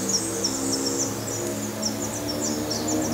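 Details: Black redstart (Phoenicurus ochruros) at a nest in Portugal with young not yet fledged, giving a quick run of very high, thin chirps, several per second, over a steady low hum.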